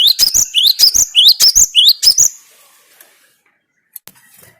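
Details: Lure song of a cinereous tit meant to excite other caged tits: repeated upward-sweeping whistled phrases, about seven in two seconds, ringing and insistent, followed by near silence and a couple of faint clicks.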